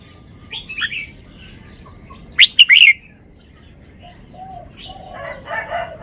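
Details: Red-whiskered bulbul kept as a cage bird, performing its show song: a sudden loud cluster of three sharp whistled notes, framed by softer scattered chirps and a faint low call near the end.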